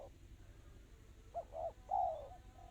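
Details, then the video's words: One spotted dove phrase in the fast, tight 'kristal' style: two quick clipped coos followed by a drawn-out descending coo, set against a constant low rumble. "Suara burung tekukur kristal rapat cepat"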